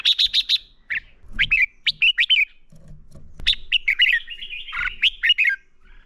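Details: Fighting song of a red-whiskered bulbul, a lure recording for training birds: a rapid burst of sharp chirps, then sweeping warbled notes and a longer run of twisting, slurred whistles.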